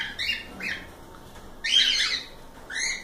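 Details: Cockatiels, more than one bird, uttering a pair of short whistles followed by a loud, broad rasping screech and a final clear rising whistle.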